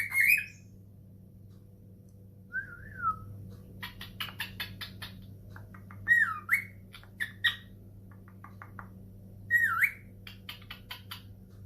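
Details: Cockatiel at home answering a phone call: scattered rising chirps and a wavy whistle, mixed with sharp clicks, all spread over long quiet stretches with a low hum.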